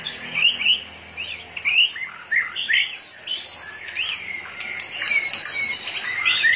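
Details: White-rumped shama, worked up and flicking its tail like a machine, delivering a lively stream of clear whistles, slurred up-and-down notes and sharp chips in quick succession.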